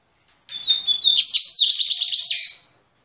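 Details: A captive Double-collared seedeater, singing again after three months, gives a fast, bright phrase of high whistles and buzzy trills about two seconds long, ending in a rapid run of repeated notes.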